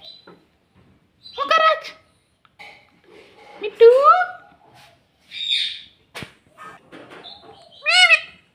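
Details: Indoor pet ring-necked parrot repeating "mummy" and "mitthu": scattered harmonic, speech-like squawks with pauses between, one sweeping upward note, brief chirps and clicks in a quiet room.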